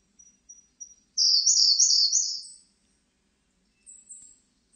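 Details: Singing Siberian blue robin: three soft, spaced ticks, then a loud, very high, rapid rolling trill lasting about one and a half seconds, followed by brief thin high notes. No other sounds are heard.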